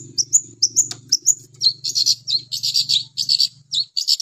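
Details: Long-tailed shrike in lively song: thin upslurred whistles followed by dense, scratchy high chattering phrases, delivered rapidly over a low mechanical hum.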